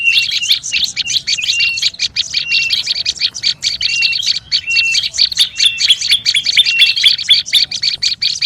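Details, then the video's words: Olive-backed tailorbird calling noisily for luring birds: loud, rapid high chips packed tightly together throughout, mixed with many short flat whistles repeated every second or so. "SUARA PIKAT BURUNG PRENJAK LUMUT RIBUT"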